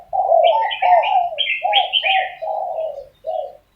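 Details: Morning quarrel between spotted doves: a run of soft, rolling coos in quick succession, with overlapping sharper chirps from a small bird above them through the first half.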